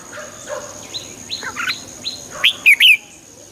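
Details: Red-whiskered bulbul song played to excite birds: soft, distant-sounding whistles at first, then three loud, clear, slurred whistled notes close together at the end.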